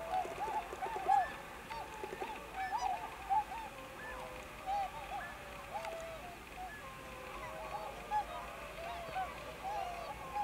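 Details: Whistling (tundra) swans in Akita Prefecture, Japan, 20 November 2020, calling together as a flock: many soft, mellow, hooting notes overlapping in a steady, uneven chorus.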